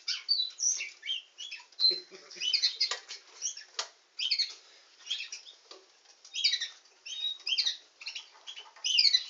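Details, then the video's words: Canary, named as a nightingale singing canary, delivering a dense, varied song of high chirps, short whistles and rapid buzzy trills in quick bursts, with a few softer lower notes near the start. "Nightingale singing canary"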